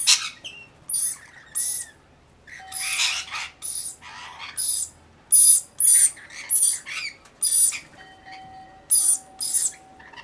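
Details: Rainbow lorikeets, several birds, bathing and feeding while giving harsh, grating screeches in quick bursts of about half a second, calling over one another, with a faint steady tone humming beneath.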